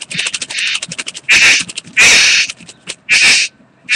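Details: A bowerbird mating display, recorded 8 January 2014: rapid dry clicking and rattling broken by loud, harsh, hissing bursts of grating noise, each lasting about half a second.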